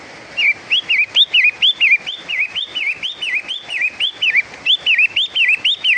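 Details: Pentet matahari (long-tailed shrike) delivering a steady run of bright, wavy whistles, each note swooping up and down, repeated roughly twice a second for about a dozen notes without pause.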